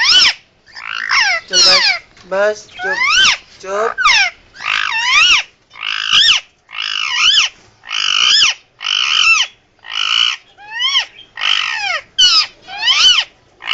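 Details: Captive Indian ringneck parakeet giving emergency sounds, a long run of loud, harsh screeches with rising and falling whistled tones, varied in shape, some wavering, delivered in bursts over about fourteen seconds.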